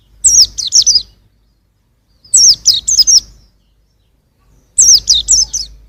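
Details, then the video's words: Three evenly spaced phrases of thin, high, falling chirps, each about four notes, sung by a young white-eye recorded in 2021. "suara burung pleci masih muda"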